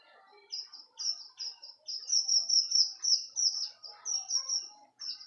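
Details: Strawberry finch kept as a tutor bird for teaching song: a long run of high, sweet, repeated chirping notes at a steady pace, with faint lower twitters underneath.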